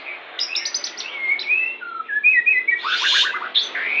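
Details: Song of a white-rumped shama, used as a pairing lure to bring birds into breeding condition: high chattering notes lead into sweet whistled slurs and a fast descending trill, ending on a rising whistle.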